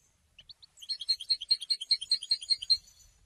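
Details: European goldfinch, a little distant: two soft opening chirps, then an even, repeated series of bright twittering notes, about six per second, fading out at the end.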